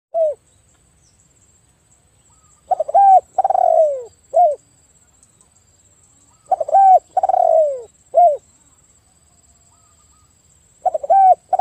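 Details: Spotted dove (tekukur) afternoon song used to lure stressed, silent birds into singing again: three phrases, each a short stutter, a rising coo, a long falling coo and a short final coo, repeated about every four seconds.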